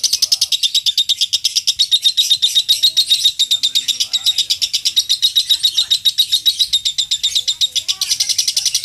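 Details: Lovebird giving an extended ngekek chatter for training contest birds: nearly nine seconds of unbroken, rapid, scratchy high notes at a steady pace, with faint lower chirps in the background.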